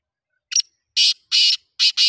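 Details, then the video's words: Harsh, rasping call of a black francolin: a brief first note followed by four loud, grating bursts in quick sequence, the last two almost running together, against a silent background. "titar sultan voice"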